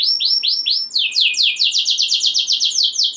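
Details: Canary song to provoke other canaries: four looping, upslurred whistles, then a quick run of crisp downswept notes at about six per second.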